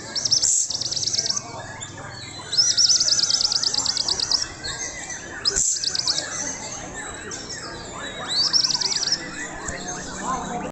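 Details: Young Indonesian white-rumped shama singing repeated bursts of shrill, fast trills roughly every three seconds, with quieter chattering notes between them.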